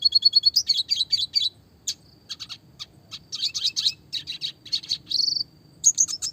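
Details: Classic red siskin song for small-bird training, clear-voiced roll tembak variation: bursts of bright buzzy chirps, a short quiet gap, more chirp clusters and one drawn-out buzzy note before a final burst.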